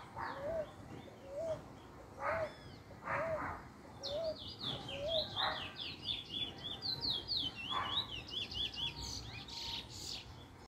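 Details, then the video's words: First-black Trinidad bullfinch, or chestnut-bellied seed finch, learning a song form on 10/10/20: a series of low evenly spaced chips, then a long run of high, rapid, zigzagging whistled notes with scattered clicks. "Trini bullfinch first black picking a nice form"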